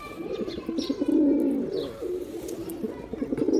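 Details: A male pigeon's low, rolling coo, given as a sound to attract pigeons, rising in strength through the middle and trailing off, with light bird chirps above it.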